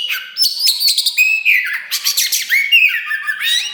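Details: Loud song of a kacer wulung, the black Oriental magpie-robin, used to provoke other birds into singing: clear rising and falling whistles interleaved with scratchy, buzzy bursts in quick succession.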